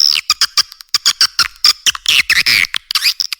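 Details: Edible-nest swiftlet call played as a nest-house lure: spaced sharp chirps at first, building into dense, squeaky twittering bursts toward the end.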